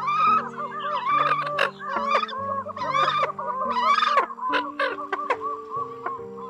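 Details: Lure recording of Eurasian coots, October 2020, meant to draw birds in: overlapping clucking calls about once a second, with sharp spiky notes over a layer of steady humming tones.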